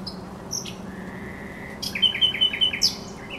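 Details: A thrush nightingale at the Żerański Canal on 24 April 2022 gives soft opening whistles and a drawn-out plain note, then a loud phrase of five or six rapid, bright, repeated notes ending in a high flourish.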